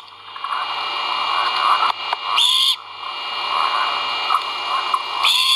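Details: Nest-camera recording from Skidaway Audubon, 1.04.2022: great horned owl chicks vocalizing while being fed, giving two short hoarse screeches a few seconds apart against a continuous hiss.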